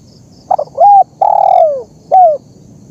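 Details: Spotted dove coo sequence from a training and luring recording: two rapid soft notes, then a sustained coo, a long sliding coo falling away, and a final short coo curving down, on a quiet background.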